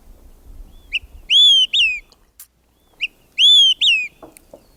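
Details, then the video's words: Olive-sided flycatcher song, its diagnostic 'quick three beers' phrase: a short pip, then two loud whistled notes, the second dropping, given twice with a pause between, a faint low rumble at the start. "So that's the olivesided fly catcher song. Really quite beautiful."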